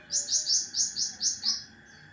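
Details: Sharp, rapid burst from a cucak ranting sung as a training model for other birds: seven piercing high chirps in quick, even succession, followed by a soft fading note and quiet background hum.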